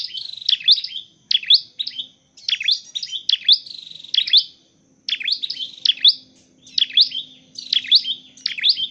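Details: Dark-necked tailorbird, a bird trained and used to trap others, repeats sharp, shrill chirp clusters in a steady run with brief gaps, with no other clear sounds.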